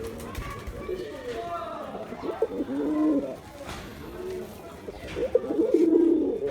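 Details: A performing male Giribaz pigeon coos in two bouts, a deep bubbling roll near the middle and another toward the end, while faint higher bird chirps sound behind.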